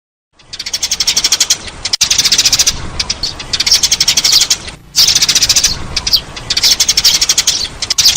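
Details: Eurasian tree sparrow calls used as a lure: loud, dense, rapid high chirping in bursts of one to two seconds, separated by brief breaks. It sounds like a busy, harsh chatter of sparrow notes.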